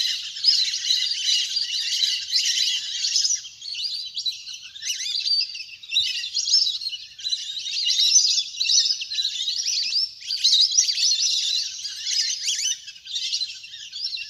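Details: Wild ducks in a big flock playing on water, a natural recording used as a lure to call birds down: a continuous mass of sharp, high twittering whistles, many birds calling over one another in rolling bursts.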